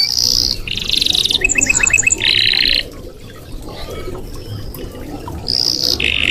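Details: Red canary producing a few seconds of mixed buzzy trills and fast repeated notes, then a quieter pause before another short trill.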